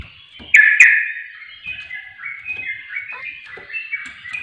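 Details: Sooty-headed bulbul lure: two strong clicking chirps open a quick, jumpy warble of short notes stepping up and down, with faint background taps.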